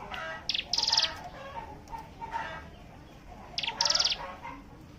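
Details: Hill prinia song played as a lure to draw other birds into singing: two loud clusters of sharp, buzzy high notes about three seconds apart, with faint lower warbling and chatter between them.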